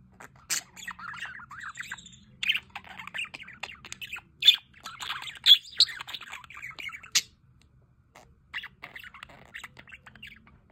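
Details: A flock of aviary budgerigars by a solar fountain chatters in scratchy, buzzy warbles with sharp clicks, falling quiet for a moment before soft chirping resumes.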